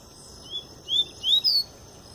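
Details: Double-collared seedeater coming out of molt, giving the Tui Tui song style: a soft short whistle followed by three louder upward-sliding whistles, the final one highest, against faint steady hiss.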